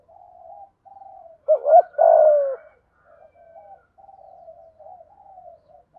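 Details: Single 'thúc gù' coo of a spotted dove in 'thổ' voice, used to spur birds to call quickly: a short two-beat hoot and a longer falling note, followed by soft chattering murmurs.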